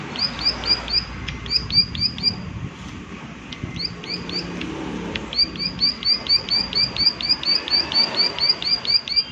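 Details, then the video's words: Rhythmic prinia 'klik klik' notes, each a sharp, slightly hooked high tick, given in groups of three to five, then a long steady series in the second half. Soft outdoor background. "Prenjak Klik Klik Gacor Suara Alam Dan Isian || Prenjak Klik Klik Pasti Nyaut"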